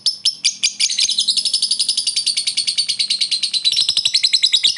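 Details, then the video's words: Short ngekek laughing call of a lovebird calling a rival, used for luring: nearly five seconds of unbroken, rapid, scratchy high chatter, notes tumbling out several per second with slight shifts in pitch. "Suara burung lovebird memanggil lawan + ngekek pendek mantap buat pancingan"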